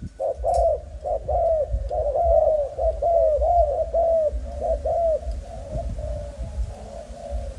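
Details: Spotted dove, a young Malaysian-type bird of breed line 55, producing a quick series of arched coo notes that fade toward the end, over continuous low-pitched noise.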